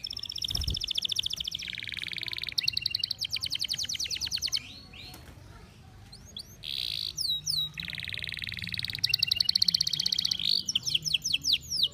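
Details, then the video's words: Over-birahi canary, in strong breeding condition, in full song. It sings long fast buzzy trills in blocks of a few seconds, separated by brief pauses and sharp upswept whistles, with a soft thump near the start. "bird song | canary over birahi"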